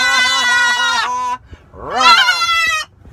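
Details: A pet macaw riding in a car gives a long, nasal, wavering drawn-out note, then after a short pause a loud rising-and-falling squawk.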